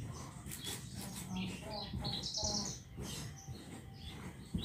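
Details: Caged lark, played to stir a bird into singing: short bursts of high chirps and buzzy trills separated by brief pauses, over a low steady background hum.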